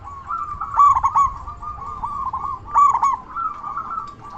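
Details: Zebra dove (local perkutut) in full voice, a lure for rival doves: trilled, stuttering coo phrases with two sharp emphatic bursts, set against low background noise.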